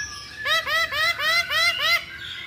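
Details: Masked laughingthrush calling in a lure recording meant to make birds sing: five rich, laughing, upward-arched notes in a fast, even, chuckling series, with a faint softer note after.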